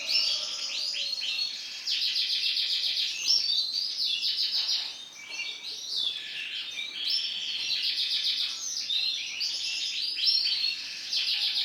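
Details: Female canary with yellow plumage giving a lively run of high chirps, rattling trills and sliding whistled notes in repeated bursts, a brief softer lull midway, then more rapid twittering over a faint background hiss.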